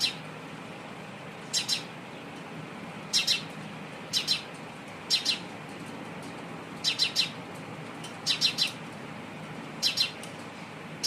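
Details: Sparrow giving quick clusters of two to four bright, high chirps, spaced irregularly through the recording, with a soft constant background hiss and low hum.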